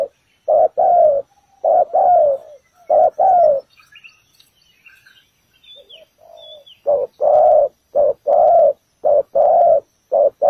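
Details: Decoy spotted dove luring birds to a ground trap. Paired low coos open the recording, then a pause filled with small high chirps of other birds and a soft coo, before the dove resumes quicker, shorter coos in rapid succession.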